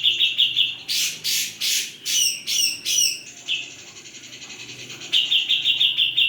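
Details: Grey-cheeked bulbul in full song, called gacor, with loud voice: a rapid high trill, then a run of harsh scratchy notes, then a thinner sustained trill and the quick trill again.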